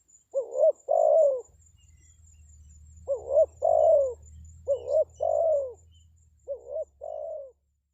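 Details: Spotted dove (tekukur) call for luring wild birds, four phrases of a clipped note and a rounded descending coo, the last softer, over a low steady rumble.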